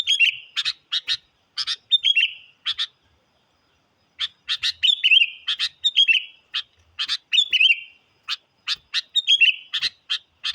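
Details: Sooty-headed bulbul lure song meant to provoke wild birds: chattering chirps and liquid falling whistles in two lively bouts separated by a silent gap of about one and a half seconds.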